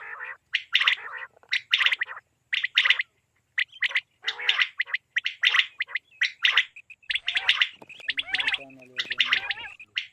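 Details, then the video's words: Repeated quail calls, apparently for hunting and netting, from KPK, Pakistan: steady series of short, rasping note groups about once a second, followed by a denser, crackling, nasal passage with low harmonics. "بٹیر کے لیے صاف آواز،Batair k Awaz mp3 2023 l safe awaz mp3 batair l Quail Best sound"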